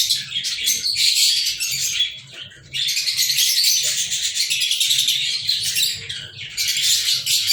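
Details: On 14 February 2023 several lovebirds chatter loudly indoors. Piercing chirps and rasping squeaks pour out in long runs, with a quieter lull around the middle before the noisy twittering resumes.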